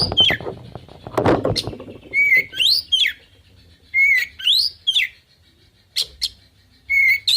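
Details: Oriental magpie-robin, 'full isian' song used to provoke answering birds. It opens with a rattling, scratchy burst, then gives short level whistles and quick upward-sweeping notes in repeated groups.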